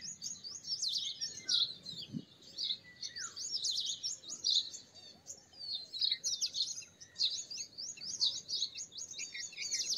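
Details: Purple sunbird singing a dense, continuous stream of sharp, high-pitched twitters and rapid chirping notes that run on with barely a pause.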